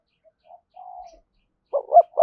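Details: Spotted dove calling to a rival bird in 'thúc gù' style: faint soft low coos first, then a burst of loud throaty coo notes rising and falling near the end, with no other sounds.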